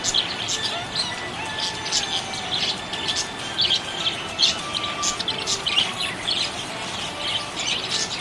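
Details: Budgerigar chirping happily, a continuous stream of quick, high twittering notes in irregular bursts, with faint sustained tones in the background.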